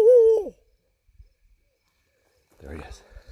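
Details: A barred owl at Landis Arboretum calls back on a full-moon night walk in 2020 after a man's barred-owl imitation: one loud, mellow hoot that holds steady, then drops away; a man speaks quietly after.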